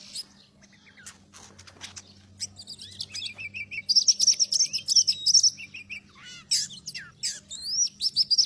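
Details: Oriental magpie-robin song used to lure birds into traps: scattered clicks, then loud bursts of high sweet whistles, buzzy trills and swooping phrases, over a low background hum.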